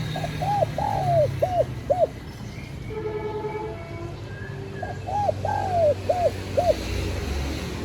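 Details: Two matching phrases from a spotted dove calling to lure wild doves, each a quick short coo, a longer drawn-out hoot and two clipped notes, separated by a pause with faint other bird notes.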